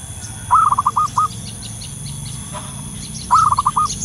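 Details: Wild local zebra dove giving its lure call, a low mellow coo that opens with a rising note and then breaks into short rolling beats, heard twice. Faint high chirps and a steady low rumble sit behind it.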